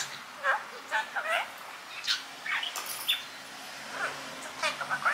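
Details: Five-year-old male pet budgerigar in Mie Prefecture, Japan, which mimics its owners' Kansai-dialect speech. Short bursts of chattering, speech-like syllables come in quick clusters of two or three, spaced about half a second to a second apart.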